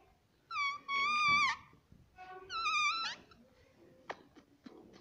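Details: A pet ringneck parrot in a room gives two drawn-out nasal, voice-like calls rich in overtones, followed by a few soft clicks and faint murmurs.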